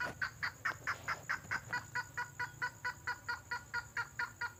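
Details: Red-headed lovebird lure call, presented as a natural wild sound for luring birds: sharp, regular chattering notes repeated about twice a second, steady and evenly spaced, with a faint low hum underneath.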